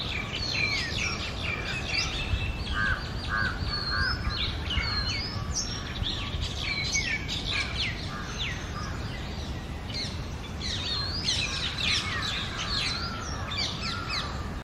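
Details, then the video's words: Early-morning song of Oriental magpie-robins, male and female, in the summer breeding season: rich, rapid run of whistled notes, sharp chips and slurred swoops delivered almost continuously, over faint low rumble. "MAGPIE ROBIN Singing Sound"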